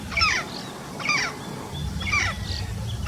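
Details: Yellow-faced parrot giving three rough, grating squawks about one second apart, with a faint thin whistle between calls over a low, steady rumble.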